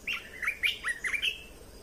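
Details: Red-whiskered bulbul kept as a cage bird, its song used for teaching young birds and exciting others: a quick, liquid series of about six whistled notes delivered in under two seconds against a quiet background.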